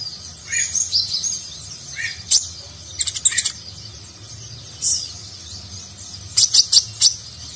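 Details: Konin, the kolibri ninja sunbird, singing a rich Nagen-style song for contest-bird training: high twittering, short slurred notes, and clusters of three to four rapid sharp chips, separated by brief pauses.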